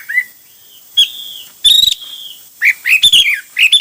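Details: Hwamei song of many styles: a brief whistle, then long steady high whistled notes, a buzzy burst, and closing clusters of quick warbled twisting notes.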